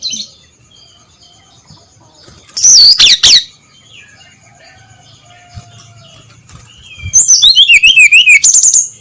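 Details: Brown-chested jungle flycatcher at dawn, its clear ngeplong song coming in two bursts of quick, high, zigzagging whistles separated by quiet, with faint softer notes in between.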